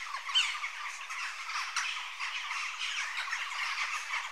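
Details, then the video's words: A flock of Western jackdaws chatters with short, sharp, overlapping 'chack' notes crowding together without pause, with no other clear sounds. "Jackdaw Bird Call"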